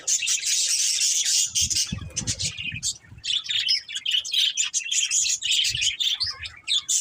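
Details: Several budgerigars chatter continuously in dense, high-pitched chirps and warbles, with a short lull near the middle before the busy twittering resumes.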